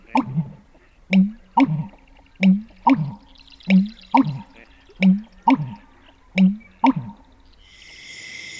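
American Bittern giving deep, hollow gulping notes in a steady series, roughly one every half second, with a brief higher sound at the end.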